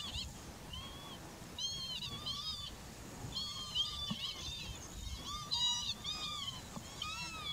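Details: Eurasian curlew recorded on 15 July 2021 near the village of Sułowo in Warmia: clear whistled calls with rising and falling notes, given in irregular bursts throughout against a soft rural background.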